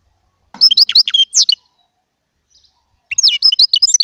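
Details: Small European goldfinch delivering two short bursts of bright, jumbled twittering chirps separated by about a second and a half of silence.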